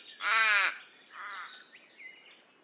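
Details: A raven gives one loud, raspy call, then a softer, shorter croak, with faint chirps from other small birds in the background.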